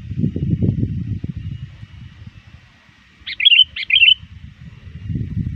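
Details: Sooty-headed bulbul, lure bird trained to keep calling, summoning rivals near dusk: a quick pair of rich bubbly chirped phrases midway, with low rumbling noise before and after.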